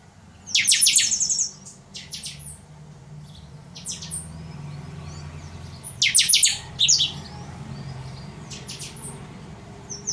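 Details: Chopi blackbird singing the totonsidonso style: loud high bursts of rapid buzzy notes, separated by brief gaps and softer chirps. A steady low rumble, like distant traffic, runs underneath.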